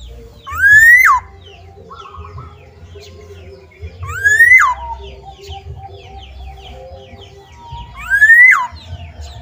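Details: Outside its cage, a black-naped oriole repeats a strong, harsh rising note ending in a quick downward slur about every four seconds, over a background of soft chattering small birds.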